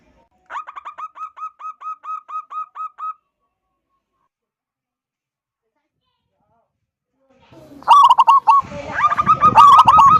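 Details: A loud local zebra dove sings the 'kung' style to coax other doves into singing: a quick row of about eleven crisp hooked notes, several seconds of silence, then a louder, harsher and more crowded burst of notes.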